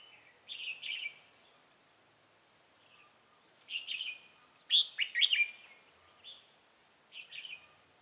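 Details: Decoy red-whiskered bulbul singing at a trap set to draw in rival birds, 28 October 2018. Several short, cheerful whistled phrases, loudest at mid-clip, with quiet gaps between them.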